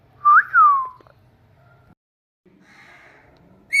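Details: Talking pet Indian ringneck parakeet giving two loud whistled notes, the first rising and the second sliding down, then a long quiet pause, a soft buzzy murmur, and a short bright note at the end.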